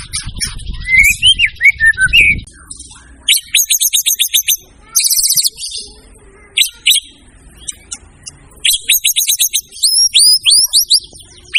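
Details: White-rumped shama in a varied song of slurred whistles, fast trilled rattles and high buzzy series, with upward-swept whistles near the end; low rumbling background noise early on.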